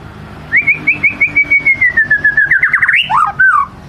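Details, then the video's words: White-rumped shama lure song: a long rapid series of repeated whistled notes slowly falling in pitch, breaking into a fast warbling flourish and a final dropping whistle. "Kicau murai batu ngelemak | pancing murai batu bongkar isian"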